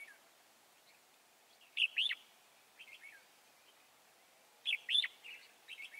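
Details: Red-whiskered bulbul from the Chùa Hương area, recorded during trapping on 24 March 2018: two loud bursts of quick, bright whistled notes about three seconds apart, with faint softer notes between.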